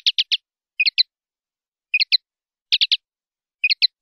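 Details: Clean-style 'limpio' song of a common linnet on a 2019/2020 CD: crisp triple chirps alternating with two- and three-note twitters, phrases spaced about a second apart against a silent background.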